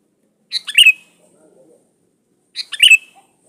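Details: Sooty-headed bulbul in full song, played as a lure for other birds: two quick, bubbly chirping phrases about two seconds apart, with near silence between.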